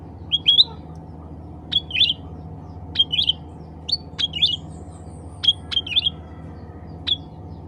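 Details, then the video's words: Cucak ranting, the black-capped bulbul, calling to attract others of its kind: brisk clusters of two or three quick, sharp chirps with up-flicking ends, repeated about every second over a faint background hum. "CUCAK RANTING SUARA ASLI MEMANGGIL CUCAK RANTING LAIN"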